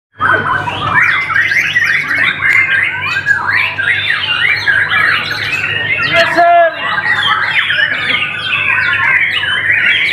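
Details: White-rumped shama singing, loud, rich varied warbling of slurred whistles and rapid twittering phrases running almost without pause, over a steady low electrical hum, with a brief lower harmonic sound midway.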